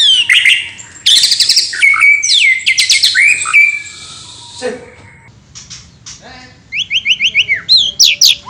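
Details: White-rumped shama; song; provoking other shamas into answering and singing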